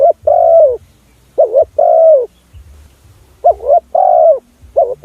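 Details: Lure call of a spotted dove for attracting other doves: about three and a half mellow phrases, a short bubbling two-part coo leading into a sustained descending coo, with a soft low rumble between phrases.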